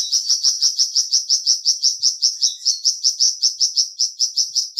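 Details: Flamboyan bird singing: a rapid, steady series of high, sharp chipping notes, about three per second, continuing without a break; quiet background.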